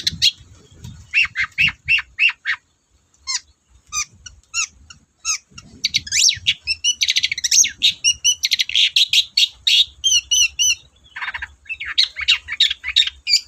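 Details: Long-tailed shrike singing energetically, a varied run of sharp high chirps, short clicks and buzzy notes in rapid bursts, some notes repeated in quick series, with brief pauses and a low hum beneath.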